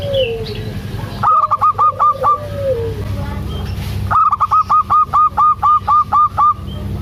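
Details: Female local zebra dove (perkutut) with a big voice, calling a male: a short burst of about six rapid staccato coos, a pause, then a longer run of about eleven evenly spaced clipped notes, over low hum and faint coos.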